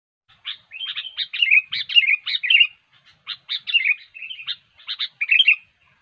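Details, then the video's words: Sooty-headed bulbul in gacor (nonstop) song used as a lure for bird trapping; sharp chattering notes mixed with short slurred whistles come in quick, uneven bursts with brief pauses, over a clean, quiet background. "SUARA BURUNG KUTILANG GACOR YANG SANGAT COCOK UNTUK MEMANCING PIKAT"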